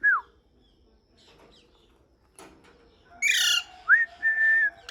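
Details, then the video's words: After a single falling whistle and a quiet stretch, a parrot squawks harshly, then whistles a rising note followed by a long flat tone. "Parrot whistling full enjoyment"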